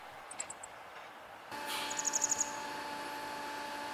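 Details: Grey wagtail (Motacilla cinerea) calling along a river in inland northern Harima, Hyogo, Japan, on a fine sunny spring day: very high, sharp, clipped notes, four quick then a faster burst of about seven, over steady traffic or machinery rumble.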